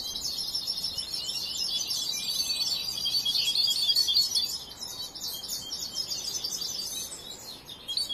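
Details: European goldfinch, young and still learning, keeps up a continuous high twittering warble of jumbled chips and trills, louder mid-phrase, with steady hiss behind.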